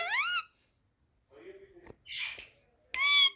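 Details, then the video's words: Pet parrot, described as angry, indoors: a loud rising harmonic squawk, then soft murmurs, a hissy burst and a final sharp harmonic screech, with quiet pauses between. "angry Parrot ||talking so cute ||Parrot talking with me"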